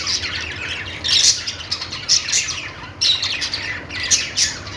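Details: Happy budgies chirping: busy high-pitched twittering with sharp squawky bursts near 1.2, 2.3, 3 and 4.4 seconds, several birds overlapping, over a faint low hum.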